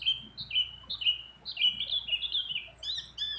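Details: Female white-eye in breeding condition calls a male: a short burst of thin, high whistled slurs that run into a quick, uneven chatter, with other birds' phrases mixed in.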